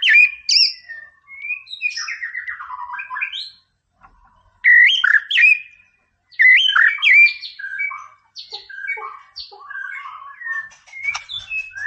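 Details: Captive white-rumped shama giving a song used to provoke rivals, with bursts of varied whistled phrases, squeaky high notes and harsh chatter separated by short silences, later softer scattered notes.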